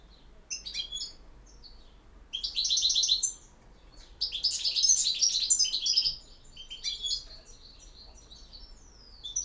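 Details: European goldfinch in campero-style song: scattered chirps lead into two loud phrases of rapid jingling trills and buzzy notes, followed by softer isolated tweets and a final short flourish.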